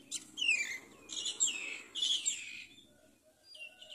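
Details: Common myna, a mother bringing rice to feed her chick, gives harsh, scratchy chirps in three quick bursts of sweeping downward notes, then a softer chirp, over a low background murmur.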